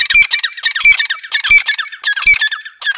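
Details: Grey francolin giving a dense, harsh, high-pitched call series of scratchy repeated phrases in quick succession, with loud pulsing throughout.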